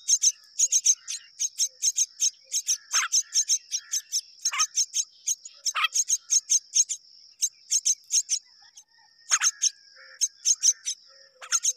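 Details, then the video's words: Two mynas raising babies together; long runs of dry, high clicking chirps, several per second, with occasional loud descending raspy squawks and a continuous shrill hum behind. "Both myna are rearing the babies together"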